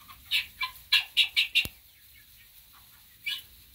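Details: Chicks in a new coop give a burst of six short, high peeps in quick succession over the first two seconds, then fall quiet before one more peep near the end; a sharp click cuts in mid-series.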